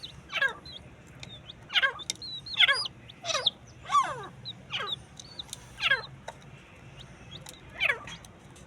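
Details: Steady series of about nine raspy, downward-dropping calls from fighting partridges, nearly one per second, with soft high whistled notes from small birds behind.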